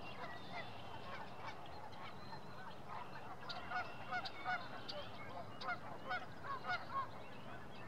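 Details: Double-crested Cormorants at a nesting colony in early April, when parents are feeding young in the nest, give short, nasal, honking notes repeated irregularly by several birds over a steady, hissing background din.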